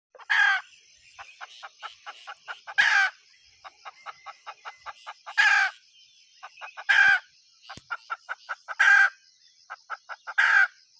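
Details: Hen calling in a repeated cackle: rows of short, soft clucks lead into loud, harsh, broad squawks, about five squawks over eleven seconds, with a steady high whine in the background.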